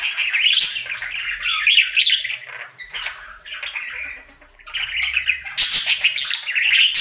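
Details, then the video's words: A happy male budgie kept as a pet sings his daily warbling song, a rapid run of harsh chirps, buzzes and squeaky notes in bursts, one short quieter pause midway, faint low hum in the room. "Budgie singing for 1 Hour Happy song!"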